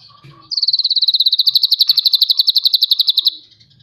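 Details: Ashy drongo singing vigorously, tutor recording from Cililin: a loud, fast, high trill of even rippling notes that drifts slightly downward for nearly three seconds, then stops abruptly, with soft chatter before it.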